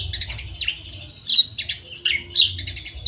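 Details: Agitated Javan bush lark in breeding condition, wanting to mate, gives clear high whistles and sharp downslurred notes mixed with short buzzy trills, roughly one phrase per second.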